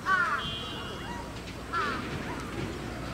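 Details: Grey crowned crane at Chiba Zoological Park, Japan, 20 October 2018: two loud, harsh honking calls with rich harmonics, spaced about 1.7 seconds apart, over a steady background of people talking.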